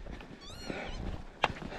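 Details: An upset Northern Lapwing circling over a walker near its nest on Great Whernside, Yorkshire Dales, gives a single wheezy, slurred alarm call rising then falling, over steady low wind rumble with a sharp knock near the end.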